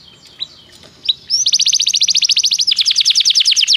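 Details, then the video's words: Domestic canary singing, played to prompt other canaries to sing: after two faint opening notes, a long fast series of rapid repeated high trills, about 3.5 per second, with the rolling phrase rising in pitch midway. "toque imediatamente esta espetacular canção do canário"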